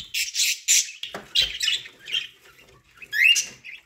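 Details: Pet budgerigars feeding on corn make high scratchy squawks and chatter, then a fast rising whistled phrase near the end.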